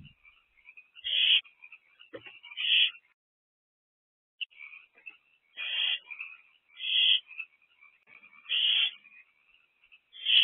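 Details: Owls in a nest box, evening of 23 April 2024. Rasping screech bursts come at uneven intervals over a bed of thin, chittering squeaks. A quiet gap falls near the middle.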